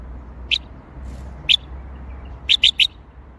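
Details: Bulbul song in the Baghdadi style, a series of short clear whistled notes, single notes about a second apart and then a quick run of three at the end, with a low steady hum underneath.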